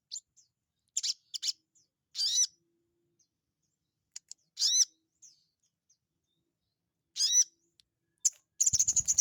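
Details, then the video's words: Sogon bird held in the hand, singing actively: sharp high whistled notes and quick downward-swept chirps in scattered bursts, ending in a rapid run of clicking notes, with faint handling noise. "BURUNG SOGON GACOR DI TANGAN"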